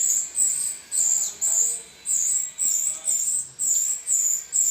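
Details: Rio-rio singing as a training model for songbirds: high, bright chirping phrases near the top of the range, each about half a second long, repeated roughly twice a second with short gaps, clean background.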